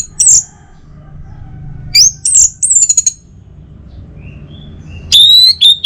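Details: Orange-headed thrush song meant to coax birds into singing in the morning: very high thin whistles and a rapid stutter of notes, a gap, then a loud falling whistle and a final note.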